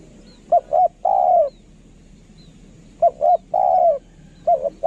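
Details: Decoy spotted dove with a kharom-style voice giving phrases of two quick mellow coos followed by a long, slightly falling coo, repeated about every two seconds over a quiet low hum.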